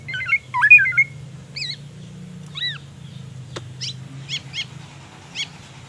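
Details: Caged black-naped oriole in daily care, its song filled with learned white-rumped shama phrases: clear slurred whistles rising and falling, a quick twisting opening phrase, then scattered sharp high chips and short notes over a steady low hum.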